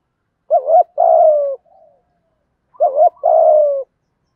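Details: Two deep coo phrases from a spotted dove in the 'thổ thúc gù' style, meant to stimulate freshly caught caged birds: each a short warbled note followed by a drawn-out, gently falling coo, with a faint murmur between.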